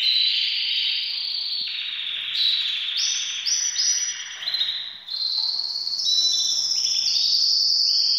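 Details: Several caged canaries in breeding condition sing continuously: rapid rolling trills and bright whistled phrases, shifting between tones, some sustained and others quickly repeated. No other sounds stand out.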